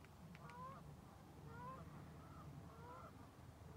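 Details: Geese flying south over Lake Ponderay, with mountains around: distant honking, nasal two-note calls repeated about every second, over a steady low rumble of wind.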